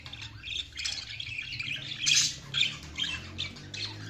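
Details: Feeding budgerigars giving rapid scratchy chirps and squawks, a louder burst near the middle followed by several short sharp notes, over a faint low hum.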